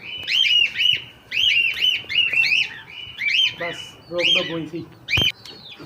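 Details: Tame cockatiel calling with repeated rising-falling whistles in steady runs, a few lower harsher notes and a sharp click near the end.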